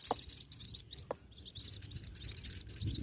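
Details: White-breasted waterhen chick eating a grasshopper gives a continuous stream of thin, high peeping notes, several per second, with a few sharp clicks and a low background rumble.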